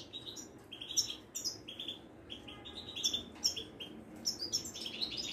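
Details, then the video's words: Caged Moroccan Widani European goldfinch giving scattered short high chirps and twitters separated by gaps, softer and more broken than full song. "طائر المقنين الزين او الحسون الويداني"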